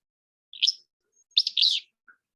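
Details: Willow Flycatcher song in southern Nevada, a distinctive song rendered as "fitz-bew": a sharp, sneezy opening note followed by a longer burry, buzzy phrase, then a faint soft note at the end.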